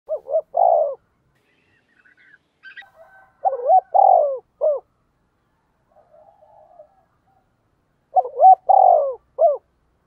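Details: Spotted dove kept as a decoy to stir up wild rivals, cooing three phrases about four seconds apart; each has a short rising note, a longer falling coo and a clipped final coo. Faint softer calls sound between phrases.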